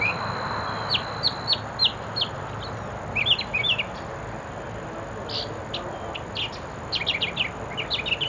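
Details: On 6 October 2013 at 17:30 a mockingbird sings in the evening, delivering clusters of short bright notes and quick repeated chips in bursts, over persistent broadband background noise.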